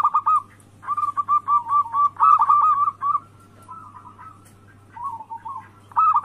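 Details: Lure song of a local zebra dove, anggungan type, used to set other doves calling: quick chains of rolling coos, some phrases slightly higher, broken by short pauses, over a low steady hum.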